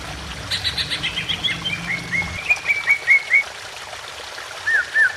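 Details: Greater green leafbird singing emotionally as a trigger for other birds, over trickling water: a rapid run of clear whistled notes that slide upward, then a pause and two looping whistles.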